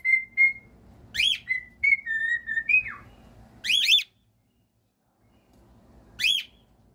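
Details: Pet cockatiels performing whistled songs: level flute-like notes, a held whistle sliding downward, broken by sharp, buzzy chirps about 1.2, 3.8 and 6.3 seconds in, then a brief quiet gap.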